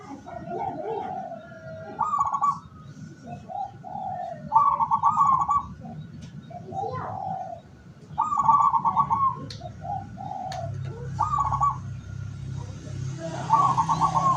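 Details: Local zebra dove decoy for catching wild doves, 17 August 2023; repeated phrases of soft coos ending in a rapid trill, about every three seconds, over low background hum that grows louder near the end.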